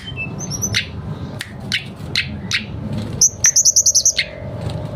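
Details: Mangrove blue flycatcher singing vigorously through its repertoire: several short downward-sweeping whistles spaced about half a second apart, then a fast string of eight bright high chips, with low hum underneath.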